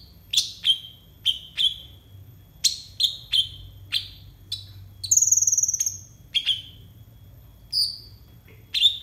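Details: Konin, or brown-throated sunbird, singing as a tutor for young captive birds: a fast run of piercing downslurred chips, then a brief higher buzzy trill midway, and more spaced chips.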